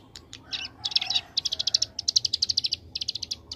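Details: Ciblek gunung prinia singing in the rapid-fire 'ngebren AK47' style: dense bursts of sharp, buzzy high notes fired in quick machine-gun runs, with a few short gaps between rattling volleys.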